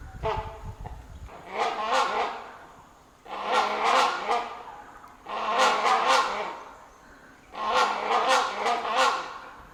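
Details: Great hornbill in Kaziranga National Park, Assam, India, heard on a forest safari, giving four loud, harsh, roaring bursts, each about two seconds long, repeated every two to three seconds, with a brief low engine rumble at the start.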